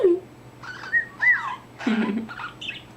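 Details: Indoor pet budgerigar, a male newly finding his voice, chatting away with bright rising and falling whistles, short buzzy bursts and a final high squeak, while a woman's voice talks gently in the room.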